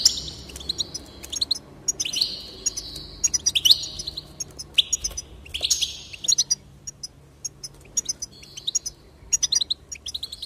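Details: Goldfinch song to boost a goldfinch's enthusiasm for singing: long stretch of lively high twittering, tinkling chirps and slurred whistles in uneven bursts.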